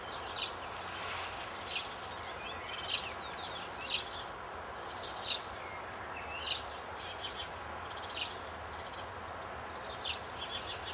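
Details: A blue rock thrush, one of a breeding pair nesting in an old, disused, fenced building, sings short, faint whistled phrases roughly every second against a steady background hiss.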